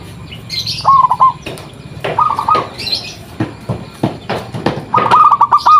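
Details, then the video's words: Local zebra dove used as a lure call for other doves. Three separate stuttering coo phrases stand among frequent knocks, rustles and a soft low hum. "Perkutut Lokal Gacor RAJA PIKAT Ahlinya Bikin Semua Burung Perkutut Pada Nyaut"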